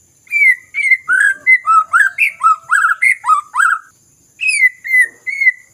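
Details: Song of a white-rumped shama, used as a trigger for birds reluctant to sing: a quick sequence of bright whistled and slurred notes, a brief silence, then three more falling whistles.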